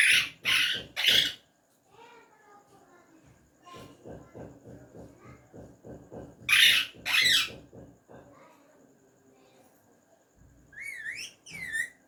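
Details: Tame talking ringneck parrot speaking Urdu/Hindi: three rasping syllables, rhythmic low tapping, two more loud words, then a few whistled rising-and-falling notes.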